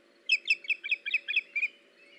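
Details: Osprey on a live nest camera, 21 August 2019, during a fish delivery from male to female: a run of nine clear, piercing chirps in about one and a half seconds, a low steady hum underneath.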